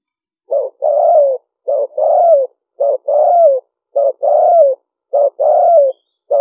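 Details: Spotted dove lure call delivered fast: a short low note paired with a longer throaty, downward-sloping coo, the pair repeated steadily almost once a second with no other sounds.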